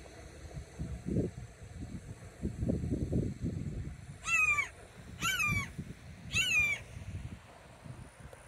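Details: A red-shouldered hawk calling out to its mate gives three loud, clear, down-slurred screams about a second apart, after low wind rumble, at Solary Park, Oviedo, Florida.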